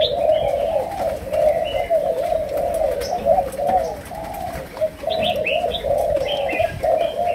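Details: Spotted dove of Malaysian stock in 'chiêu gù' coo, 'sấm đồng' style. Low cooing runs almost without a break and pulses in short rounded phrases. Thin chirps of small birds sound above it at intervals.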